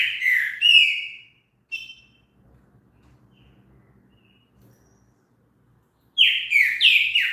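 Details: Green-winged saltator song: a slurred, descending whistled phrase opens. A short note follows, then a long silence, and then another rapid series of loud, falling whistles.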